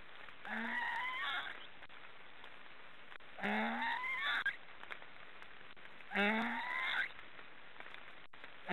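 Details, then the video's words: Black storks snoring, three rasping calls at roughly three-second spacing, each a low rising groan topped by a higher squeaky tail, somewhat distant over background hiss. "Black storks are snoring"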